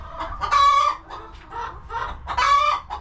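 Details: Chickens in their coop on a homestead: two loud, harsh, drawn-out squawks with softer, muffled clucks in between.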